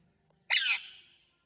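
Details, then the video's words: Green parrot letting out a single grating screech that fades out slowly, over faint low background hum. "Green Parrot Talking Natural Sounds | Tote Ki aawaaz"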